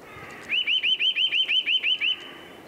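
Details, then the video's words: Eurasian nuthatch during nest building, giving a fast run of about ten clear upslurred whistles, six or seven a second, all on one high pitch. "Eurasian Nuthatch - building nest, song/call"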